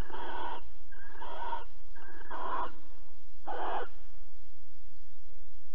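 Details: At Alphen on the evening of 22 April 2020 (21:37), barn owls mating and cuddling give four breathy, screechy hisses in quick succession, then quiet with faint background hum.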